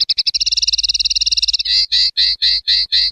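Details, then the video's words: Common linnet singing a fast, even trill of high notes that breaks into six slower, longer buzzy notes spaced about a third of a second apart, in a quiet setting. "Canto Pardillo / Carduelis Cannabina"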